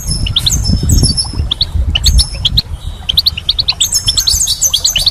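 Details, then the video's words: Springtime goldfinch song of scattered short chirps in pairs and triplets, ending in a busy high tinkling twitter, with low rumbling noise underneath. "Goldfinch's Song"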